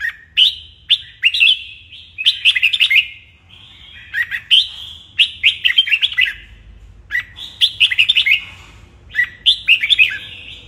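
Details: Caged red-whiskered bulbul singing at dawn for training, delivering repeated bursts of rich, warbled whistles between short silences, with a quiet hum in the background.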